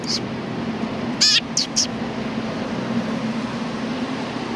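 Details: Sparrows, cute birds recorded on 31 October 2019, give a brief chirp followed by three short high chirps in a quick cluster over a steady low hum.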